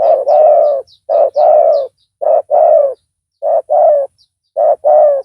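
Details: Booming paired coos of a spotted dove kept as a loud decoy for luring a rival; a clipped note is followed each time by a longer wavering coo, repeated steadily, small birds chirping thinly.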